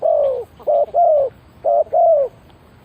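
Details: Luring call of a spotted dove decoy for catching wild birds: a long falling coo, then two pairs of a clipped level note and a longer descending coo, deep and hollow.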